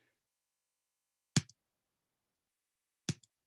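Near silence in a small indoor room, broken by two sharp clicks or taps about two seconds apart, with no animal calls.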